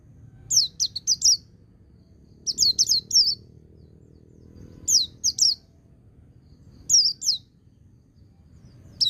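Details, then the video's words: Pleci song played to train and stimulate young white-eyes, in quick clusters of high, downward-sweeping whistles, each group of three or four notes separated by short pauses. "Suara Burung Pleci Ngecir Sambung Ngalas"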